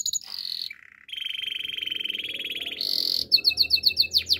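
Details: Master canary: a short rolled phrase, a long steady rattling trill lasting nearly two seconds, a brighter buzzy burst, then rapid sharp repeated notes.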